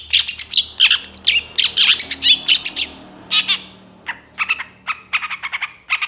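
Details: Long-tailed shrike, young and moulting, in vigorous varied song. Rapid strings of high, scratchy chirps and short whistles come about four per second, thinning into spaced sharp notes toward the end. A faint low hum sits underneath.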